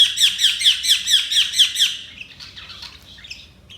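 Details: Budgie chirping: a quick, even series of about eight bright, loud chirps, roughly four per second, fading into softer, twittering chatter.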